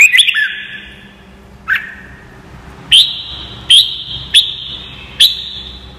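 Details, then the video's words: Training song of a red-whiskered bulbul for teaching birds: an opening cluster of quick whistled notes, then five sharp ringing whistles at uneven intervals, each fading into a sustained high tone over a soft background hum. "CHÀO MÀO | Luyện giọng chim hót cực hay - luyện má trắng nhanh học giọng"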